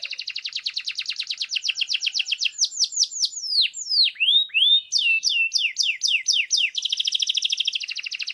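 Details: Singing canary delivering rapid rolled trills, then a run of sweeping slurred whistles dipping and rising, before returning to a fast even trill; no background noise.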